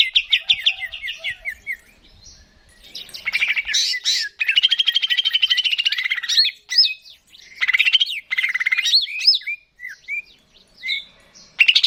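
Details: Greater green leafbird, kept bird, song meant to make birds sing: varied high whistles, fast chattering trills and sweeping slurred notes in bursts separated by short pauses.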